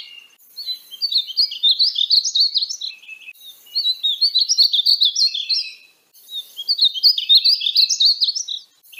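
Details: Painted bunting (Passerina ciris) singing three rapid, high warbled phrases, each about two seconds of tumbling sweet notes with short pauses between; no other sounds.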